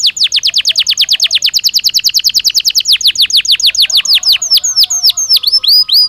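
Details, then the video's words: Belgian canary sings a loud, very rapid trill of falling notes that gradually slows into separate sweeping whistles, with faint lower notes underneath near the end. "Som de 1 Hora com Canario Belga Cantando Naturalmente"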